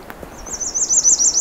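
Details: Female American Redstart at Pine Tree Point, Ontario, giving one of her several short warble songs: a very high, thin, quick warble of about ten wavering notes in just over a second, possibly mimicking Common Yellowthroat; quiet background.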